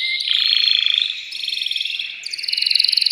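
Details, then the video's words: Excited caged male canary singing to stimulate a female to mate, also used to train chicks: a high rolling trill that steps upward in pitch across three sections, each a fast buzzy rattle. "تغريد ذكر كناري هائج يريد تكسير القفص يحفز الأنثي لتزاوج"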